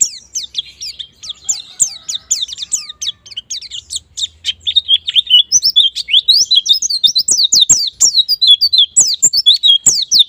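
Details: White-eye song used as a lure so birds start singing 'ngalas' and 'nembak'; steady stream of high, thin chirps building into a louder, denser rapid warble.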